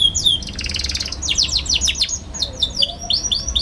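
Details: Young canary chirping energetically, a recording meant as a lure to help young canaries learn to sing: fast high twittering, rapid buzzy trill, then a run of sharp down-slurred chirps and bright whistled notes.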